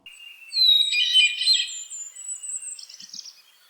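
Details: Hermit Thrush (Catharus guttatus) singing its complex song: a clear, steady opening whistle, then a shimmering, flute-like flourish that leaps higher in pitch, against a quiet background.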